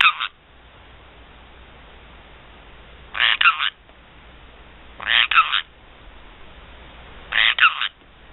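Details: Black-headed caique, a pet parrot, giving harsh, raspy double-burst calls roughly every two seconds, each burst broken into two or three rough pulses, over a quiet background.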